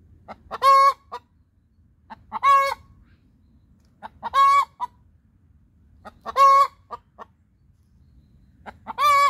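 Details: Egg-laying song from a hen: five loud harsh squawks at a steady pace of about one every two seconds, each ending in a short clipped cluck, over low background noise.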